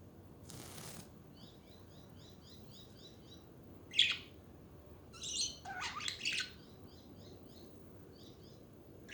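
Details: Budgies chattering in a lively stretch: loud scratchy chirps and buzzy bursts, some clustered, over a steady background of soft, rapid, repeated high twittering notes.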